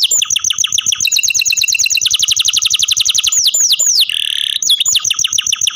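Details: Caged canary singing a rapid repeated trill of sweeping notes, then slower descending whistles, a buzzy harsh burst and more falling notes.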